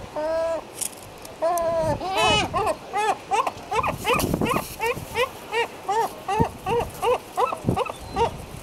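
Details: Herring gulls in their breeding colony: a few long drawn-out nasal notes, then a rapid series of loud, yelping, downslurred calls repeated for about six seconds, with other colony calls in the background.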